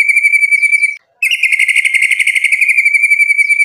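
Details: White-rumped shama song for provoking a rival: a thin, steady, insect-like trill, a brief break, then a louder, coarser rattling trill that settles back into the thin trill.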